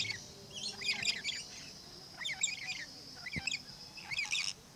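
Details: Blue-streaked lory at Lion Country Safari, Florida, giving four bursts of harsh, scratchy chattering screeches about a second apart, over a steady high hiss and one soft thump.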